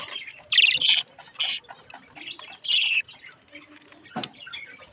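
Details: Parakeet chicks playing with a mirror, with loud, buzzy, sustained squawks in several bursts over the first three seconds, then quieter chatter and a sharp click.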